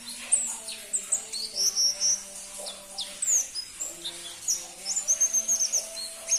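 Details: Crimson-breasted flowerpecker, a rarely kept and hard-to-find bird, calling in fast strings of sharp, very high squeaky notes, several per second, over low humming tones.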